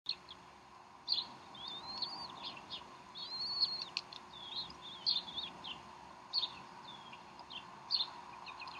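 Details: Bald eagles at the Decorah nest on 04-12-2012, around 3:10 pm Central Time, while the mother feeds the young a snack; high, thin chirping whistles in uneven bursts, some slurred and rising, over a steady electrical hum.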